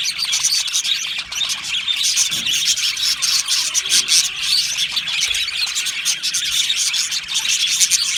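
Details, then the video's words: Australian budgies in an aviary colony, happily singing and chirping: a dense, continuous chatter of high, scratchy warbles and chirps from many birds at once, with no pauses throughout. "Australian Budgie singing and chirping sounds"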